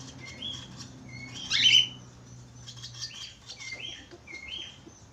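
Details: Budgerigar singing: soft whistled chirps, rising then falling, repeated in a loose series around one brief louder scratchy burst, all fairly quiet over a low hum.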